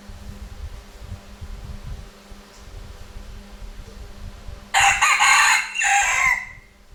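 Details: At noon in Vietnam a rooster gives a single loud, hoarse crow near the end, two strained bursts with a trailing fall, after several seconds of low rumbling background noise and faint hum.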